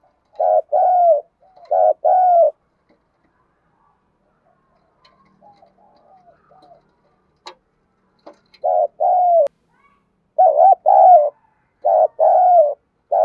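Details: Female spotted dove used as a lure, calling to males. Loud paired coos come in bursts, broken by a quiet stretch with soft murmurs and a few sharp clicks, then resume in quick succession.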